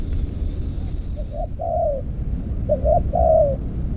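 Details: Spotted dove cooing during decoy trapping with an earthen trap cage, two phrases each of a quick double note followed by a long, smooth falling coo, with light low rumble.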